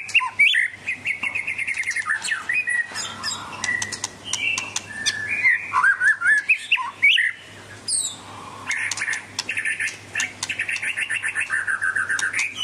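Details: Medan white-rumped shama in vigorous song, mixing rapid repeated chattering notes, looping whistles and harsh squawky bursts in a nonstop varied stream, with a steady low hum underneath.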